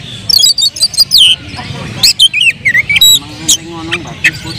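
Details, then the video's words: Oriental magpie-robin (kacer) in agitated, full-emotion song used as a lure to provoke other birds: sharp high whistles and slurred notes, broken by rapid buzzy bursts, with a low steady hum underneath. "KACER BONGKAR EMOSI BONGKAR MATERI DENGAN PANCINGAN KACER INI Kacer Gacor Full Emosi"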